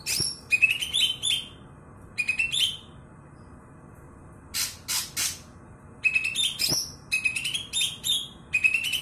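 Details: Former contest Greater green leafbird (kebo) sings in loud spaced bouts: rising strings of clear whistles mixed with harsh buzzes, a pause with a few rasping notes, then more rapid whistled runs.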